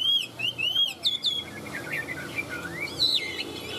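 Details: Show-form Chinese hwamei, a kept bird, opens with loud wavering whistles and a high ringing phrase, then shifts to softer rambling warbled notes that slide up and down.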